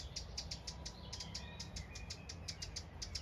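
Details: A wren, very cross, scolds with loud hard dry ticks about four or five a second, slightly uneven, over low wind rumble in a field on a farm in County Kilkenny, Ireland; likely alarmed by a cat and dogs nearby, probably a baby wren on the ground.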